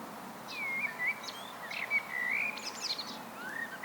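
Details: A common blackbird, Turdus merula, gives solo song: long drawn-out mellow whistles gliding level then dipping, mixed with brief high squeaky notes, and a final falling fluted phrase, faint hum behind.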